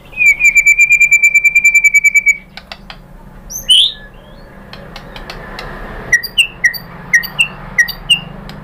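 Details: Murai batu (white-rumped shama) lure song for training birds: a steady rapid trill lasting about two seconds, one loud single note, then short upslurred whistles spaced evenly about every half second.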